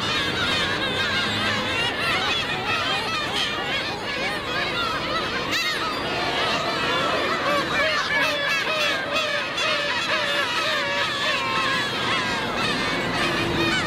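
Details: Black-tailed gulls at Otaru, Japan, clamouring for fish, taking it and begging again. Many birds call at once in a dense chorus of harsh, bending, honking mews, with constant background noise throughout.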